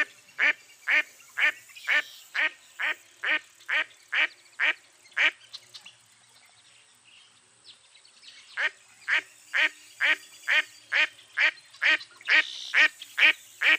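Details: Mottled duck quacking in two bouts: about a dozen rhythmic nasal quacks, a pause of some three seconds, then another run of around eleven, each note brief and harsh.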